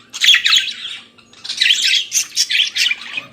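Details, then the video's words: Budgerigar warbling in the morning, two busy phrases of chattering, squeaky twitter split by a short pause, with sharp high chips near the end. "Periquito Australiano Cantando pela Manhã"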